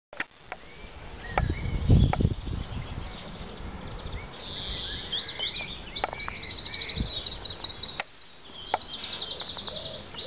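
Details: Birdsong recorded at a rural cottage in Rigsby Wold: high rapid trilled phrases and chirps, with low rumbling noise early on and a brief break near eight seconds.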